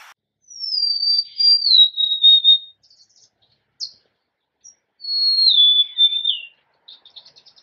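Golden-crowned sparrow singing two plaintive, high whistled phrases that slide and step downward, each about two seconds long, with a few faint chips between them.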